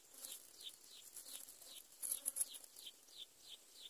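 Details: Four greater coucal chicks, just fed by their mother, give thin, high, down-slurred chirps, about two a second in a steady series, with a brief rustling burst midway.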